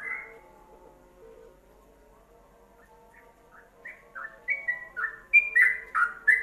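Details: Yellow-vented bulbul in ropelan-style song for training songbirds: a long quiet stretch with faint low tones, then whistled phrases grow louder and faster, ending in bright warbling bursts.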